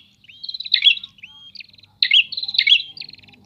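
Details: Prinias trade phrases: a long flat whistle running into a quick pulsed buzz with bright accents, another short rising whistle, then a louder buzzy trill and a fading pulsed tail.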